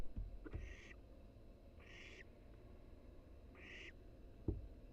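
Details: Wild barn owl nestling in a nest box, filmed by a live cam while exercising its wings; three harsh, breathy hissing bursts of about half a second each, spaced roughly every one and a half seconds, over low rumbling background noise and a few knocks.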